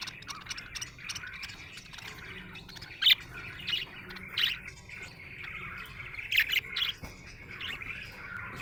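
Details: Budgerigar chirping in a happy mood: low, steady chattering warble punctuated by occasional louder sharp squawks and chirps at irregular intervals, with a faint hum underneath.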